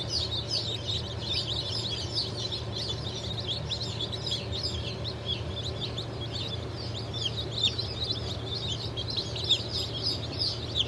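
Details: Just-hatched turkey, bantam, Sussex and Australorp chicks from a 31 May 2023 hatch chirping together in a dense, unbroken high-pitched chorus of short peeps, with a steady low hum underneath.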